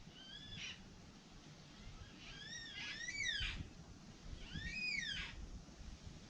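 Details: Yellow-tailed Black Cockatoos give three drawn-out, wailing calls that arch up and fall about two seconds apart, over a low rumble. Recorded near Wyndham, Bega Valley, Australia, around 14:00 on 3 February 2020 during bushfires, with mild southeast winds.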